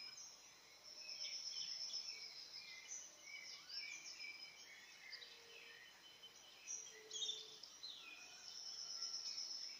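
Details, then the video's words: Birds singing together at dawn: a dense overlapping wash of thin high chirps, trills and short sliding whistles from several distant birds, with a steady high insect-like hiss and soft background noise throughout. "Canto dos Pássaros,ao amanhecer"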